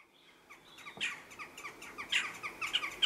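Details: Western jackdaws in conflict at a chimney nest site holding chicks, possibly neighbours or a failed breeding pair harassing the nesting pair; short sharp calls repeated rapidly, growing louder and busier toward the end.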